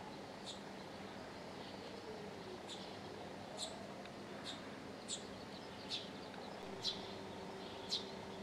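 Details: Birds in the early morning in Japan: short, sharp high chirps at irregular intervals about once a second, over a steady low hum and faint drawn-out tones.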